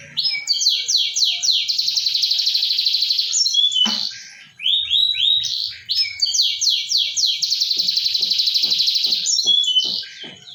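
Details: Canary song as a lure for a canary that has gone quiet: two phrases of sweeping notes into long, dense buzzy rolls, separated by a clack and short rising whistles, light tapping near the end.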